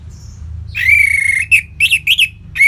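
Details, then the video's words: Orange-headed thrush from North Bali, Singaraja, a caged bird being encouraged to sing: a loud sustained whistled note followed by four short slurred chirps, over a low steady hum. "ANIS MERAH Ngeplong Lemas"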